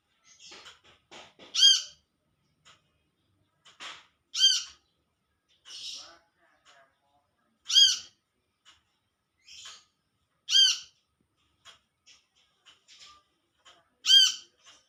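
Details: Wild Olive-backed sunbird calling to companions, giving a series of six loud, ringing, arched calls about every three seconds, with many soft chips and ticks between them.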